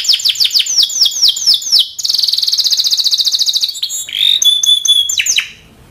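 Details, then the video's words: Timbrado canary singing a melodic song: a run of rapid descending whistled sweeps, then a long fast buzzy trill, a pure steady whistled note and more quick downward slurs. "Timbrado canary singing beautiful melody"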